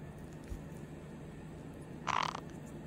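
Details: A White-bellied caique (Pionites leucogaster), a pet, gives one brief, harsh, rattling squawk lasting about a third of a second, over a quiet indoor background.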